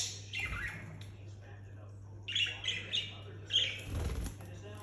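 Budgerigars give a few short, bright chirps over a steady low hum.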